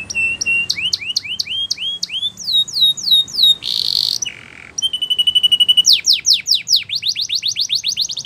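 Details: Spanish Timbrado canary singing a training song: rapid upward-curving whistles, a brief harsh rasp, a short pause, then a level whistled tone and a burst of fast descending chirps.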